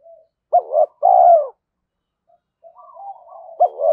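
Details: A decoy spotted dove calls to draw wild males into a fight. It gives one full phrase of clipped, rising and long falling burred coos, then a soft low murmuring and the start of the next phrase.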